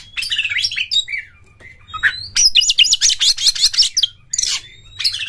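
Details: An Oriental magpie-robin pours out a fast, varied song of high whistles, buzzy trills and chattering notes in quick bursts with brief pauses. It is used as a lure to provoke other magpie-robins into singing and opening their tails.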